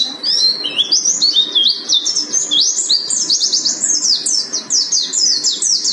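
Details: Mountain white-eye (Buxton's white-eye) sings a fast, continuous stream of high, thin twittering notes, sweeping up and down in rapid chirpy phrases without pause.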